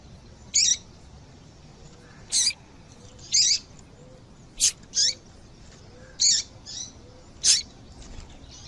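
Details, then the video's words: Calling female double-collared seedeater, played to get males singing: roughly eight brief high chirps at irregular intervals of about one second, sharp and clipped, with low background hiss. "Piado de Fêmea de Papa capim"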